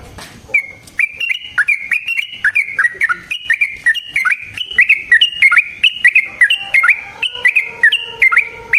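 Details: Yellow-vented bulbul delivering a long 'ropel' fighting song to provoke another bird: continuous lively phrases of slurred, bubbly whistled notes rising and falling, delivered rapidly for the whole stretch without pause.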